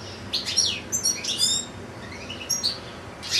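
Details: Captive European goldfinch, one of two kept with two goldfinch-canary hybrids: high liquid twitters and quick downslurred notes in short bursts, a soft rising warble midway, ending in a bright tinkling phrase.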